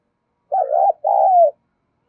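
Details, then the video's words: Spotted dove giving a driving, stimulating call meant to provoke other doves to call: two cooing phrases, the first wavering and broken, the second a long steady coo that slurs downward at its end, with silence around them. "tiếng cu gáy thúc và gáy gọi cực đỉnh/ chim cu gáy kích bổi"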